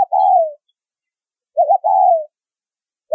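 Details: Repeated coo phrases of a spotted dove, a 'thúc rút bổi' style call with a low whistled tone: a brief quavering pair of notes followed by a drawn-out gently falling coo, two phrases, clean and quiet background.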